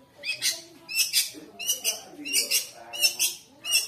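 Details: An Indonesian long-tailed shrike, owned as a songbird, sings on its own when someone walks past. It gives harsh, scratchy, broadband bursts in pairs, repeated fairly regularly a little over once a second, against a quiet background.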